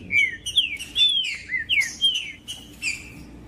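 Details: Green-winged saltator singing to warm up a cold bird: a run of loud whistled slurred phrases, each sweeping down and rising again, in quick succession over a faint steady hum.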